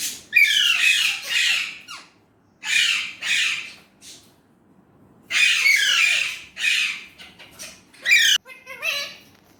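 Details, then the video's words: Pet Indian ringneck parrot chattering in Urdu/Hindi, several phrases of hoarse, speech-like syllables separated by short silences, ending in clipped squeaky notes. "Indian ringneck parrot amazing talking parrot"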